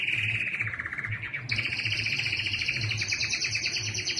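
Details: A canary song moves from a lower rattling trill into an abrupt switch to a high, fast, buzzy trill that is sustained to the end, over a soft low rhythmic hum.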